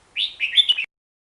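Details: A single quick Hook-billed bulbul phrase of four or five warbled, slurred notes, lasting under a second.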